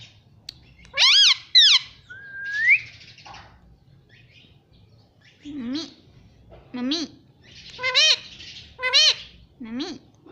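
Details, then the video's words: Parrot kept as a pet, talking: two loud warbling syllables and a rising whistle, then a pause and a series of four or five shorter speech-like phrases spaced about a second apart. "parrot talking everything"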